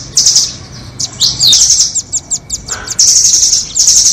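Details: Nuthatch lure sound for trappers, 'doraemon' versus red-billed types: high, rapid trills and slurred notes, then a run of separate, evenly spaced sharp chips, ending in a long, dense, high trill.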